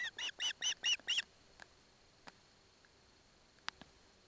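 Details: Barlinek Forest osprey chick, mother alongside, receiving fish from the father: six fast, shrill chirps in about one second, then near silence with faint clicks.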